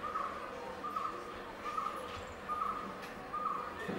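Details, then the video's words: Male Asian koel calling: a short, clear note repeated about five times, one roughly every 0.8 seconds, all at the same pitch. Steady background hum and faint distant voices. "Asian koel male"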